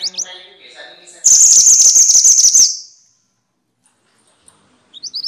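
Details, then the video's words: Minivet, called mantenan in Javanese and sepah in Indonesian, in a noisy session used as tutor audio for songbirds: a loud dense buzzy chattering burst at very high pitch, then silence and a few rising thin chirps. "kumpulan suara burung mantenan (sepah) ribut!!"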